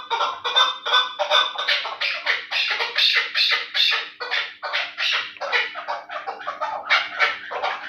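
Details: Terali-type chukar partridge, described as a fighting and hunting bird, calling in a fast, dense stream of scratchy chuck notes, nearly continuous and slightly uneven, over a faint low hum.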